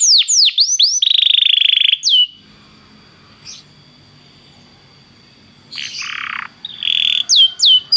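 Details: Belgian canary singing to warm up another canary: quick downslurred whistles and a buzzy trill, then a quiet pause with faint background hum, before harsh buzzy notes and more sharp downslurred whistles return.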